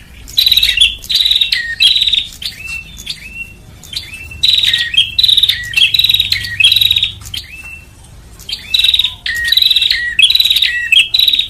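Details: Bar-winged prinia lure used to attract birds: rhythmic bouts of harsh, buzzing trills, each paired with a short downslurred whistle, arriving in series of three to four separated by brief quieter gaps.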